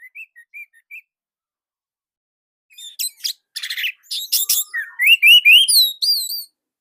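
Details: Song of an orange-headed thrush in Indonesia, loud and closely packed. A few soft wavering whistles lead into dense buzzy chatter, then clear rising and falling whistled notes in quick succession.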